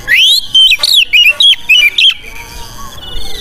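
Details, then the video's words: Oriental magpie-robin song for tutoring caged birds and stirring them to display: a quick run of clear whistled notes, rising and dipping, about eight syllables, then a thin sustained tone fading out. "Masteran Kacer GACOR Bikin Mrinding‼️Bikin Semua Burung yang Dengar Langsung Emosi Buka Ekor & Paruh"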